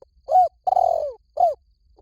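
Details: Spotted dove call for luring doves to a decoy: an arched coo rising then dropping, a long rough coo descending steadily, and another arched coo. Loud, close and clean, with a faint trailing note.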